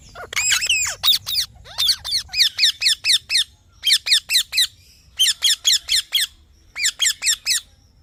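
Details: Green parrot calling in a dense run of harsh, grating squawks. Sweeping screeches open the clip, then clipped notes follow in quick clusters of three to five with short pauses between them.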